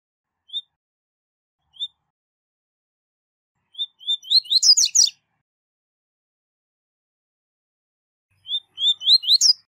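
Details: Tui tui zel zel song, high level, from a double-collared seedeater, meant for teaching young birds. Isolated short whistles open the clip. Then a full phrase of rising whistles bursts into a loud, buzzy trill, and a second phrase begins near the end.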